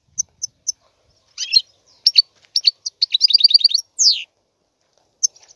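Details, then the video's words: Goldfinch singing in short bursts: isolated high chirps, a rough note, then a quick twittering run and a sweeping downward note, closing with a few soft chirps. "احسن وافضل تغريد طائر الحسون"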